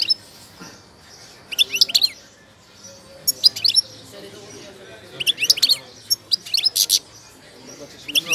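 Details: Moroccan wild-type goldfinch singing while in moult: bursts of bright, rapid twittering and tinkling notes, high-pitched and jangly, arriving in short phrases roughly every one to two seconds with quiet gaps and faint low background murmur.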